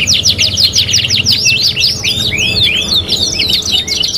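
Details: Canary on a 3-in-1 training master, kenari gacor style: a string of sharp downward-sweeping chips, then looping slurred whistles descending in pitch, all fast and loud.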